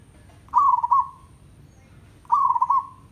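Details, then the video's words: Zebra dove from a village, singing. Two trilled, rolling coos at a medium pitch, each about half a second long, spaced almost two seconds apart, with quiet low background noise. "MERBOK KAMPUNG TANDANG - MASTERAN PERKUTUT AGAR RAJIN BUNYI"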